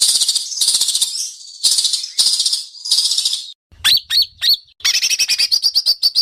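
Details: Indonesian contest White-rumped shama singing sharp besetan mimicry for the judges: long harsh high buzzes, a brief pause, then clipped upward whistles and a quick chattering rattle.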